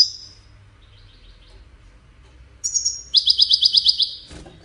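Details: Goldfinch, Widani song style: faint high notes at first, then a bright chirp followed by a rapid, rattling buzzy trill of about eight repeated pulses, ended by a sharp click.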